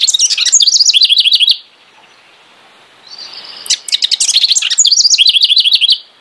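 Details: House wren giving two rapid, bubbly songs of quickly repeated high chattering notes, separated by about two seconds of quiet, the second opening with sharp ticks.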